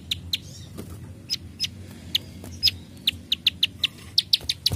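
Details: Plain prinia's 'klik klik' song, here sparser: scattered sharp clicks at first, then a quicker run of bright, high ticking notes toward the end, against quiet low background noise.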